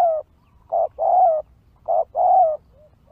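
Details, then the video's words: Spotted dove calling in a recording used to lure wild birds: mellow, low coos, a brief note then a drawn-out slightly wavering one, given in two phrases with quiet gaps. "Pikat Tekukur Di Hajar Burung Liar"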